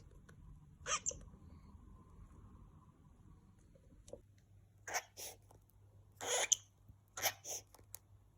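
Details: A pet cockatiel gives short, harsh, bark-like bursts; this barking is normally territorial ("this is my place") and can also be hormonal behaviour.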